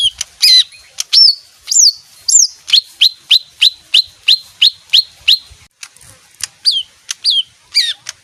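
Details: Small leafbird singing a few sweeping whistles, then a steady train of about ten short down-slurred notes, each about a third of a second apart, a brief pause, and more varied chirps.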